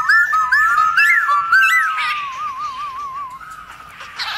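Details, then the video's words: Black-throated laughingthrush in forest-style song used to stimulate its kind: bouncing, looping whistled phrases repeated about twice a second, then a long tremulous wavering whistle fading out. "Khướu bạc má HÓT GIỌNG RỪNG KÍCH MÚA"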